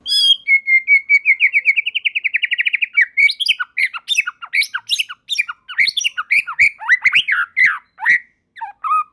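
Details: White-rumped shama joined by other singing shamas: a long, steady rising trill of quick notes, then a dense jumble of squeaky, harsh and whistled phrases.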